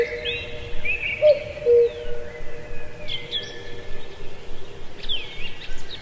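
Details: Cuckoo in a lush ancient deep forest at Pallandri, Azad Kashmir, giving a single low two-note cu-coo, the second note lower, among high whistled and chirping calls of other birds.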